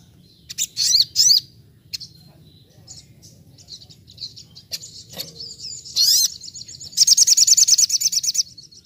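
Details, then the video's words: Sogok ontong singing in 'nembak' style for a training recording imitating the wild: a few high buzzy sweeps and thin scattered notes over a low hum, ending in a long rapid chatter of sharp repeated high chips. "masteran sogon nembak nembak seperti di alam liar"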